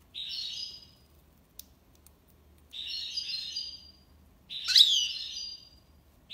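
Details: Tiwawati song of a European goldfinch in Algiers: three clear, well-spaced high buzzy trilled phrases separated by silences, the last one louder with a sharp sweeping note.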